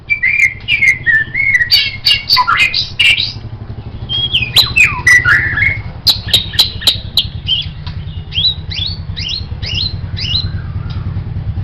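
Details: White-rumped shama master song for songbird training: a long, varied medley of rich whistles, slurred swoops and sharp clicks, ending in a run of repeated upward-flicking notes over a faint low hum.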